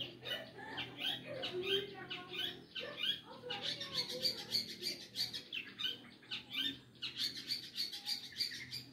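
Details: Dense, chattering song of a Long-tailed shrike, a tumbling run of rapid scratchy notes and high squeaks with little pause, growing busier and higher in the second half.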